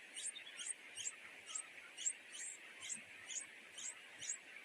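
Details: Two wild nightingale chicks at a nest begging their mother for food, giving thin, very high-pitched squeaky chirps repeated about every half second over a steady background hiss.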